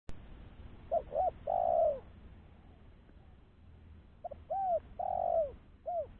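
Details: Spotted dove call used as a lure for trapping other doves: two groups of cooing notes, each with short clipped coos around a longer, falling drawn-out coo, separated by a pause, over low rural background rumble.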